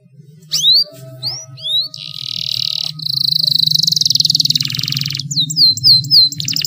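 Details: Canary song meant as a prompt for canaries that rarely sing: a few quick rising whistled sweeps, then long dense buzzy trills at fast pulse, closing with bright descending whistled notes, over a steady low hum.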